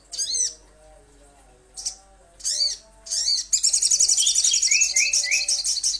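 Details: Little spiderhunter lure call: several separate high squeaky chirps, then a rapid, rattling stream of piercing high notes, with a few lower, clearer whistled slurs mixed in near the end.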